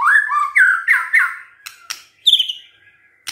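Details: Rich, rolling whistled phrases from a White-rumped shama, interspersed with dry clicks and a higher, thinner whistled note, all with short gaps between bursts.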